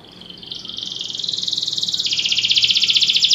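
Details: A Belgian canary sings during training, beginning softly with a rising trill that strengthens into a loud, fast pulsing rattle on a high pitch.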